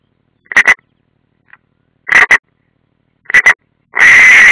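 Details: Three clipped double croaks spaced about a second apart, then a sustained harsh rasp, from European rollers at a live-camera nest, Ādaži training area, Latvia, June 2016, including an unringed bird.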